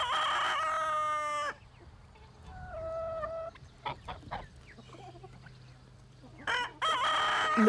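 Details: A farmyard rooster crowing in the morning to show dominance over his territory and hens: two loud, harmonic crows at start and end, with softer clucks and scattered farmyard sounds between.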